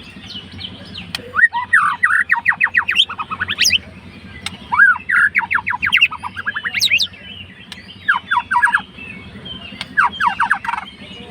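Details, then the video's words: White-rumped shama, a fighter-type bird, singing to provoke a rival's emotions: a fast, rich song of rapid rising and falling whistled notes, packed into bursts of several seconds with short pauses, over a steady low hum. "MURAI MACET MALAS BUNYI LANGSUNG RESPON"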